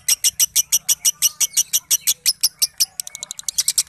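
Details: Lovebird singing in the 'ngekek konslet' style, said to resemble a well-known lovebird's character: a rapid, steady run of sharp, high chirps, about five to six a second, tightening into quicker, thinner notes near the end, in a quiet indoor setting.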